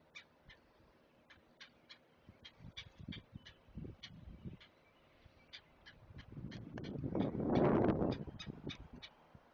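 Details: At a Chesapeake great blue heron nest, chicks being fed on a live cam give quick, sharp ticks repeated steadily, while a swelling rush of noise builds near the end.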